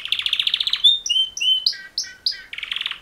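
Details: Mating call song from two male canaries: a fast rattling trill, then clear whistled notes dropping in pitch, a run of bright chirps, and another rapid trill to finish.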